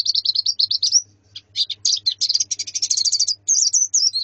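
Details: White-eye female and colony calling to train a male's singing: quick repeated high notes, a short pause, then a dense buzzy trilled stretch and closing slurred whistles over a low hum.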